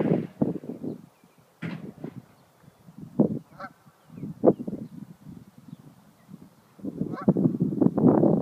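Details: Geese defending their territory from an intruding dog give short, harsh, nasal honks in uneven bursts with brief pauses between them. The calling swells into a louder, denser outburst near the end.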